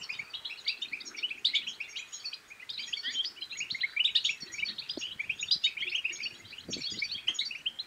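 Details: European goldfinch song used to encourage another goldfinch to sing and mate: dense, high, rippling twitters and buzzy trills running without pause, with one short low click.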